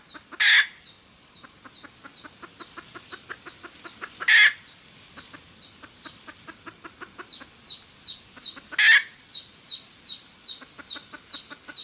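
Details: Cackling red junglefowl hen, recorded for luring birds into traps. Fast series of short clucks climaxes in a loud, raspy squawk, three times roughly every four seconds, while another bird gives repeated thin, falling whistles throughout.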